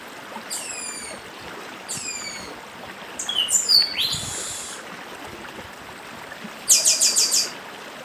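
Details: Chestnut-bellied seed finch, Nordeste papa-arroz, singing with stream sounds: two spaced falling whistled phrases, a burst of mixed warbled notes, then a rapid trill of high repeated notes over flowing water.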